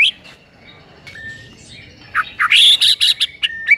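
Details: Morning song of a white-rumped shama: a few scattered whistled notes, then a dense, loud run of harsh, chattering and whistled phrases, ending with a level whistle.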